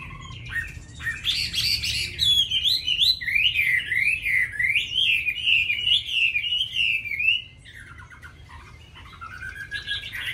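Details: A caged Chinese hwamei with a many-voiced forest song. It opens with lower notes, then pours out a rapid, zigzagging series of clear whistles for several seconds before dropping to quieter, separate slurred phrases.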